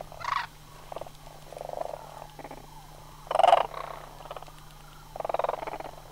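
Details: Sandhill cranes gathering to migrate from Homer in September 2009. Intermittent rolling trills of varied loudness, with one strong rattle near the middle and another near the end.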